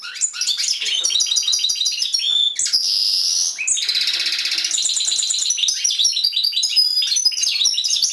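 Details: European goldfinch kept in a cage pours out a fast, bright jingling song, mixing quick repeated trilled notes with longer buzzy wheezing phrases and tinkling twitters, nonstop throughout.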